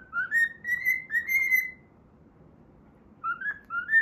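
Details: A cockatiel whistles part of a learned TV theme tune while playing, a run of bright rising and level notes, then a two-second pause and a short rising phrase resumes; quiet room background.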